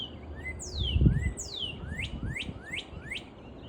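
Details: Red-whiskered bulbul singing on a spring morning, a run of about six bright, sweeping whistled notes, roughly two per second, over a low rumble of background noise.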